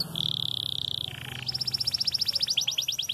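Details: Red frosted canary singing at the start of its moult, not doubling its song: a sustained buzzy high tone, a lower brief note, then a fast series of sharp repeated notes building into a rhythmic trill.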